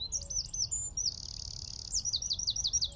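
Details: Eurasian wren at Wicken Fen singing from a tree about 15 m distant, phone, telescope and shotgun mic: quick high chirps lead into a long buzzy trill, then a string of rapid swooping notes.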